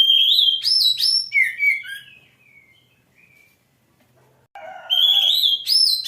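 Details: Kacer, the oriental magpie-robin, a songbird kept for singing: loud clear whistled phrases sliding up and down, then a pause, then a burst of rich warbled notes with harmonics.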